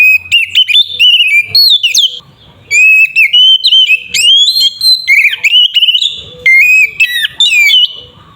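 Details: White-rumped shama in full fighting song to provoke rival shamas: dense, almost unbroken run of loud whistled phrases, upslurs and rapid chattering notes, with one short quiet gap.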